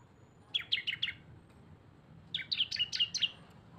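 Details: Lure recording joining two cisem birds: two short groups of four to five quick, high, clipped chirps, separated by a silent stretch, with faint background hiss.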